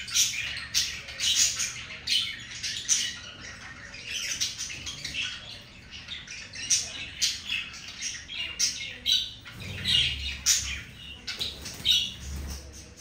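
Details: Budgerigars in a breeding moment; intermittent scratchy chirps and squawks in short bursts, with soft low rustling and fluttering sounds later on.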